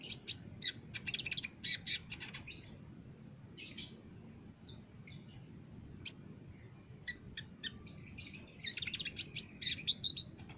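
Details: Caged olive-backed sunbird master recording for training birds: rapid buzzy high trills in dense bursts, alternating with single sharp notes and short pauses, ending in a fast chattering run.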